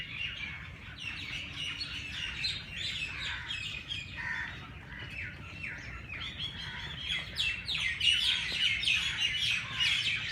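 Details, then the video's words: Morning chorus at the Race Course, Jilani Park, Lahore: many birds chirping and chattering in overlapping high, rapid notes, building louder and denser in the second half. "Birds sounds Chirping at race Cource Jilani Park Lahore صبح سویرے پرندوں کی پیار بھری باتیں"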